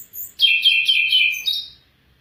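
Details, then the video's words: Afghan bulbul voice: one short, busy burst of warbled, bubbling notes lasting just over a second, loud and clear against silence. "Afghan bulbul bird voice افغانی بلبل کا آواز"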